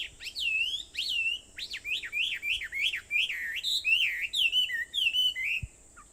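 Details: Birdsong at dawn, 4:30 a.m., Aobayama, Sendai, Japan, 21 July 2014; a long, lively series of looping, slurred whistles, rising and falling in quick succession for six seconds, with a soft low thump near the end.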